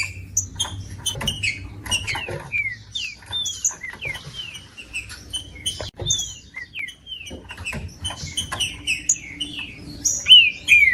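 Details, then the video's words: Trinca-ferro, or green-winged saltator, song used to stir up a cold bird for singing tournaments; busy run of short downslurred whistled notes, some higher chips, scattered clicks and faint low rumble underneath. "TRINCA FERRO CANTANDO"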